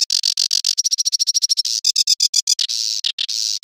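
A Sedge Warbler sings a fast, scratchy jumble of chattering notes, rapid clicking trills and a brief thin whistled run, all high-pitched with no other sounds.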